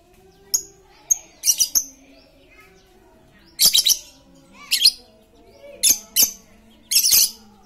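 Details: Very talkative lovebird serving as a lure for quiet lovebirds: repeated harsh, shrill chattering bursts, some in quick doubles and triples, with sharp high clicks between, over a soft constant hum.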